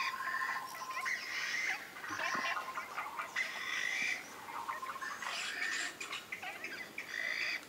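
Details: Chinese bamboo partridges (Bambusicola thoracicus) give loud, harsh, rapidly repeated calls in overlapping bursts, tangled throughout with the squawks and quacks of wild ducks.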